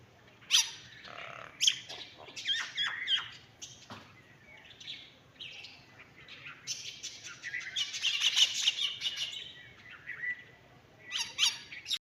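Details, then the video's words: Varied myna calling over twelve seconds: bursts of harsh squawks, clicks and sharp chirps, a dense loud rasping stretch near the middle, and a final short squawky flurry. "Cute myna sound"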